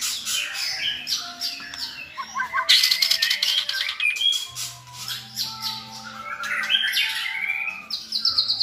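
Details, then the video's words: White-rumped shama singing as a tutor for a selected young shama learning varied song; scattered bright whistles and chattering phrases over clicking, rustling background noise with a low steady hum. "NÀI CHÒE LỬA | Đào tạo THANH cho lửa chuyền"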